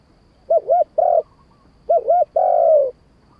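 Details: Low, mellow cooing of a spotted dove in 'kharam pa' style: twice a pair of short rolling coos leads into a longer sustained coo, the second long note held slightly longer and gently falling.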